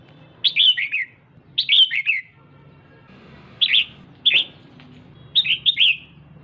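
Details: Female red-whiskered bulbul excites the male with five chirpy phrases of quick falling notes, two of them shortened to a single chirp, over a soft low hum.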